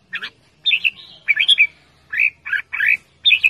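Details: Loud, playful calling from a red-whiskered bulbul, with quick paired chirps and squawky slurred notes in little clusters, separated by short pauses.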